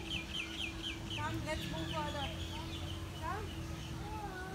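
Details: Captive Little penguins at Featherdale Wildlife Park, Sydney: a busy mix of short squeaky chirps and rising-falling yelps, several birds overlapping, over a steady low hum and murmuring background noise.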